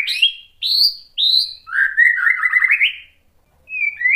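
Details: White-rumped shama song used to goad other shamas into replying: three high downslurred whistles, a rapid rising warbled run, a short silence, then a clear whistled note rising at the end.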